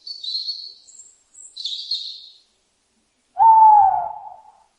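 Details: Owl giving a single drawn-out, slightly falling tonal hoot near the end, preceded by high, thin chirping calls from other birds.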